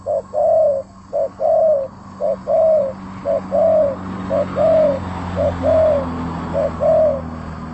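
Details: Spotted dove (tekukur) in lively song, giving a steady series of about six coo phrases, each a brief note then a longer rolling coo, repeated roughly every second over a constant hiss and low hum.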